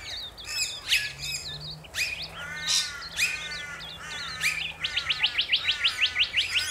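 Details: Rainbow lorikeets in Australia: mixed shrill screeches and twittering, ending in a quick run of evenly repeated chips about six per second.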